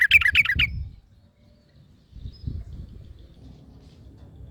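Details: Wild yellow-vented bulbul singing, with another bulbul answering straight away; a quick bubbly burst of about six bright chirping notes in under a second, followed by quiet low rumbling background noise.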